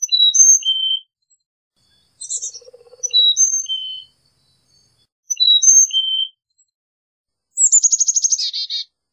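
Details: Carolina chickadee alternating whistled four-note song phrases with a buzzy scolding call, ending in a fast run of sharp notes that drop into harsh buzzy dee notes.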